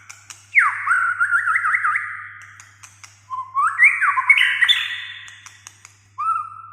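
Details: White-rumped shama in full song, used to provoke a quiet shama into singing: a long falling whistle turns into a rapid zigzag warble, then after a pause comes a run of rising stepped whistles and a short final note, over a faint steady hum.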